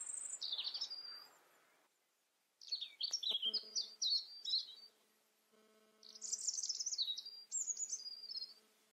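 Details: A European robin in the Eifel, Germany, sings three high, thin phrases of tumbling, wavering notes, each about two seconds long, separated by short pauses, with a faint hum beneath.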